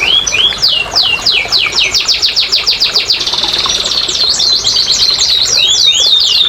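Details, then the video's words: Canary song played to coax silent canaries into singing: loud rapid series of high descending sweeps repeated several per second, a sustained buzzy trill mid-phrase, then rising and falling whistled loops. "PANCINGAN BURUNG KENARI MALAS BUNYI"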